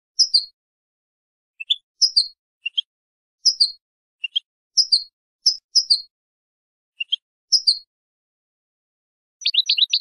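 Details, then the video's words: European goldfinch song from a recording used to teach young birds: sparse high tinkling two-part notes and soft chips spaced through several seconds, ending in a quick burst of clipped notes. "شريط لغة الحسون"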